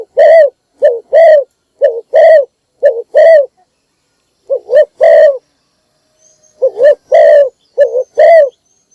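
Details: Morning call of a spotted dove used as a decoy to lure wild doves. A brisk series of paired low coos, roughly one each second, broken by a short gap. A faint thin whistle comes from another bird.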